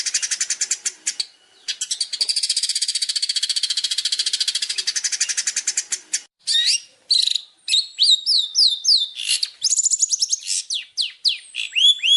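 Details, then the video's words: Champion long-tailed shrike master song: long high rapid trills, then varied phrases of sharp chips, sweeping whistles and downslurred notes separated by brief gaps. "masteran cendet juara"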